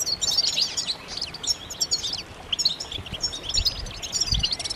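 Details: European goldfinches chattering in a group, calls played to push silent males into song: high rapid tinkling twitters in short bursts with brief pauses, over a faint hiss.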